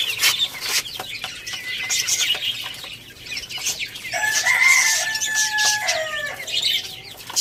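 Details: Adorable rooster crowing loudly in the morning at Lalukhet bird market, Pakistan: one extended crow of about two seconds, steady harmonic tone that dips at its close, set against dense, busy budgie chirping throughout.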